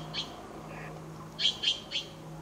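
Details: Taiwan blue magpie at Datun Nature Park, Yangmingshan, Taiwan, on 11 April 2018, giving one short, sharp call, then a quick run of three harsh notes, over a steady low hum.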